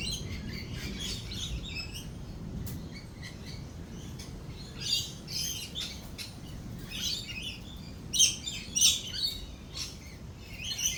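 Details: Lorikeets at a cafe in a thunderstorm with thunder and lightning: many birds screech and chatter in harsh, high bursts, louder peaks near the end, over a soft low background rumble.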